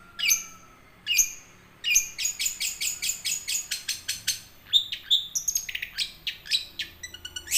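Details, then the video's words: Young wild long-tailed shrike (cendet) singing in 'ngerol' style, used as a lure to get silent caged shrikes singing: sharp high whistled notes, then a fast run of clicking, chattering notes and varied mimicked phrases. "Cendet ngerol buat pancingan burung cendet macet"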